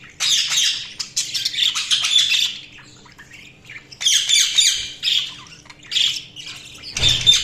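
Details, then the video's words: Budgerigars in lively high chatter: rapid scratchy chirps and squawks in bursts with short pauses, several birds overlapping, a low thump at the end and a faint hum. "Budgies Sounds| Budgies Chirping sound"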